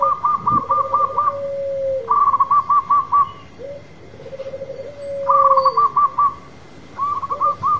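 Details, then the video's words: Champion local zebra dove with a big voice performing its song: four phrases, each a burst of rapid short repeated notes, alternating with long, low, trilled purring coos, with brief quiet gaps between. "Perkutut lokal gacor manggung suara besar sang Juara"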